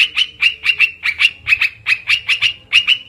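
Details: Olive-winged bulbul lure call, given as harsh, scratchy chattering notes, mostly in quick pairs, repeated about twice a second at a steady mid-high pitch.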